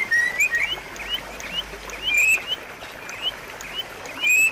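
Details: White-rumped shama singing to prompt a quiet bird: short rising whistles in loose series, with a few louder emphatic phrases, steady background hiss.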